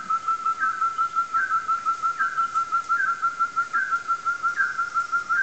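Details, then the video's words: An orange-necked partridge at Tan Phu, Vietnam gives a steady run of clear whistled notes, about three a second, each with a brief upward lift, over a sustained whistled tone. "Orange-necked Partridge"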